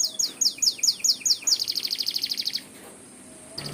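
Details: Canary singing in the morning: a run of high descending whistled notes, then a fast even trill of bright chips about two a second apart, ending in quiet before a short restart.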